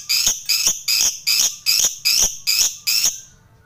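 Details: Lovebird giving the notes used to call out rivals, part of a lure for fighter lovebirds; eight loud, harsh, high screeches, evenly spaced about every 0.4 seconds, then silence.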